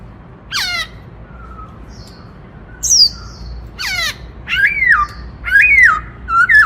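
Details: Sharp, high descending squeals are spaced across the recording. The white-browed laughingthrush then breaks into ringing whistled phrases that swoop up and fall away, sung in the 'Bắt Cô Trói Cột' style.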